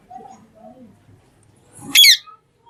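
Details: Talking green parrot making low murmuring, mumbling sounds, then one sudden, loud, harsh screech.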